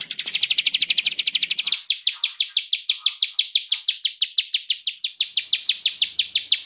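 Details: Murai batu tembakan rapat master song for teaching other birds: a dense, very high trill shifting into a long steady train of sharp, evenly repeated notes, roughly three per second, slightly weakening toward the end.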